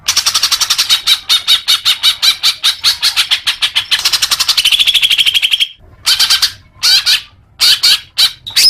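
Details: Greater green leafbird song, played to make caged birds sing more: rapid chattering high notes repeated about three times a second, then a long buzzy trill and short bursts separated by brief pauses.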